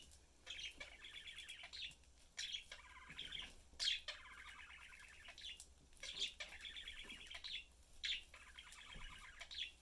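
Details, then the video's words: Pet budgerigar family of three, father, mother and young, chatting and eating indoors; repeated bursts of rapid warbling chatter with buzzy trills, each phrase lasting one to two seconds with short pauses between. "Budgie/Parakeet family lives, chatting"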